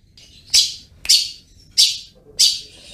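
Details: Long-tailed shrike in lively ngriwik-style singing: four short, harsh, high scratchy notes, each a loud burst that fades, spaced about half a second apart over quiet background.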